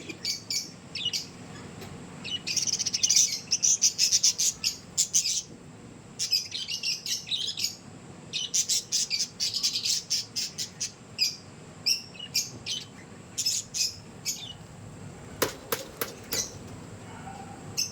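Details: Budgerigars selecting their nest chatter in quick bursts of high, scratchy chirps and squeaks, with brief pauses between runs.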